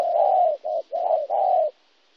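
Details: Spotted dove, a local wild-caught bird, Kon Tum, Vietnam, 26 January 2016; one continuous cooing phrase of four low mellow notes, the first and last long, ending abruptly into silence.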